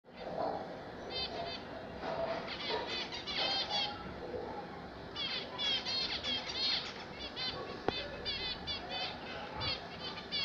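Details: Several kept zebra finches singing, a busy stream of short nasal, harmonic beeps and rapid buzzy phrases running through the whole stretch over a low steady background hum.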